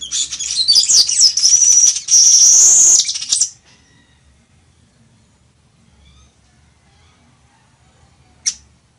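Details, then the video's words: Weaver (chichiguago) song used for teaching birds to sing: an intense high buzzy, sizzling phrase with rapid warbled whistles for about three and a half seconds, then silence and one sharp chip. "CANTO DE AVE TEJEDOR O CHICHIGUAGO"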